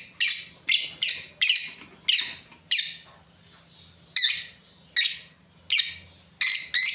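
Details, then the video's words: Lovebird breeding pair producing a rapid run of harsh, high screeching chirps, then a pause, followed by single notes repeated roughly every three-quarters of a second. "Beautiful lovebirds chirping sounds"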